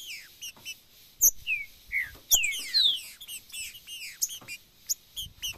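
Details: Green-winged saltator giving a mixed macheado song and piado calls: quick sliding whistled notes, mostly falling in pitch, loose bursts of sharp chirps and high thin peeps, with overlapping notes suggesting several birds.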